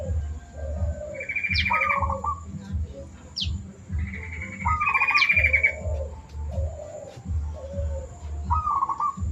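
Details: Zebra dove song used as a master recording to train birds: soft, rolling, trilled coos repeated at intervals, mixed with higher trilled notes and sharp rising whistles, over a heavy low rumble and a steady high electronic whine.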